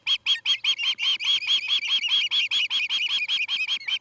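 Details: Osprey at a camera-watched nest in Charlo, Montana, on an August evening; a fast, loud, slightly uneven string of sharp whistled yelps, about twenty notes in four seconds, with faint clicks beneath.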